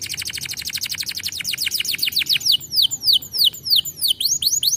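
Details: Canary song meant to get idle canaries singing: a fast rolling trill of downslurred notes gradually slows into separate, louder falling whistles.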